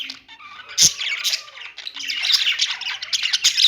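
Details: Budgerigars singing and chirping: a dense, continuous warble of squeaky chirps, rasping squawks and short whistled notes, growing louder toward the end, with sharp clicks.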